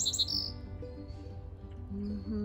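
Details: A sparrow sings in a spring garden in May, giving a few quick, bright chirps and a thin high note later, over a woman's low voice; she suggests the birds are signalling that someone is coming.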